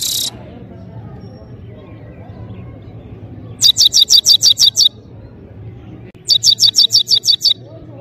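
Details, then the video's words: Goldfinch singing powerfully: two quick bursts of high, bright twittering notes, about eight or nine rapid chips each, over a faint low hum. "gold finch singing"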